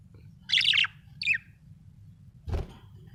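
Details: Happy budgie giving two short bursts of scratchy, high chirping, followed by a soft knock.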